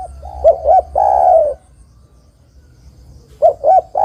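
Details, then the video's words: Spotted dove luring song: one phrase of two short coos and a long falling coo, a silent pause of nearly two seconds, then the next phrase begins. "Suara Burung Terkukur Gacor Paling Top Untuk Pancingan & Pikat"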